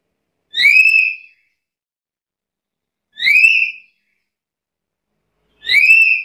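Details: Black-capped lory whistling three times at a regular pace of about one every two and a half seconds, each note a short upsweep settling into a bright held tone.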